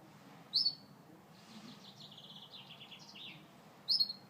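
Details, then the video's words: Gloster canary song: a soft, fast run of repeated warbling trill notes in the middle, framed by two loud, sharp chirps at the start and end, with a faint low hum beneath. "Gloster Canary Bird Singing"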